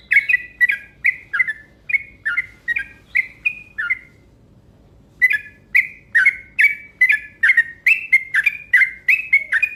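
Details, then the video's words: Rapid provoking lure call from a yellow-vented bulbul: runs of chattering, bubbly double notes about two per second, a silent pause of over a second, then a second, faster run. "Panggilan Burung Trucuk Ropel Panjang Gacor Cepat Bikin Emosi"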